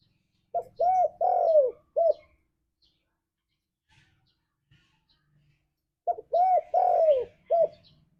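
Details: {'caption': 'Spotted dove song in the ngalas style, used as a lure to make kept doves sing: two phrases of short hooked coos, then a longer coo falling at the end and a final short note, with a low hum under the first phrase.'}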